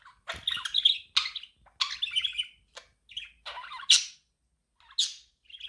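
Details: Lively budgie chirping, said to help a lonely budgie become active; harsh, buzzy bursts and rasping high notes in clustered phrases, thinning out toward the end.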